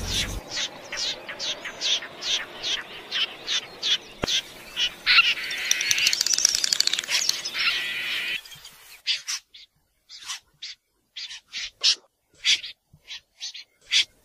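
A common snipe gives short, sharp, high chipping notes, about two or three a second, briefly covered midway by a burst of rough rustling noise.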